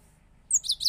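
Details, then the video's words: Powerful-singing goldfinch, a newly acquired bird: a quick burst of high, bright twittering, three or four sharp tinkling chirps in under half a second, over a faint low background hum. "power full singing gold finch"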